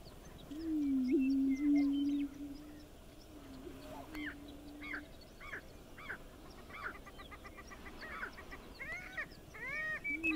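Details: Five male greater prairie chickens displaying on their lek at Wray, Colorado, on 26 April 2019: a low steady moaning hoot held for several seconds, followed by clucks and rising-falling whoops from other birds.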